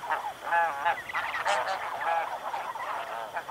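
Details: A flock of snow geese flying by at Chincoteague, Virginia, producing a steady stream of loud, reedy, nasal honks from many birds, overlapping into near-continuous calling throughout.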